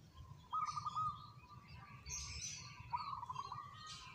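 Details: Soft, fairly faint rolling coos of a local zebra dove in two level phrases, partly covered by brighter chirping from other birds.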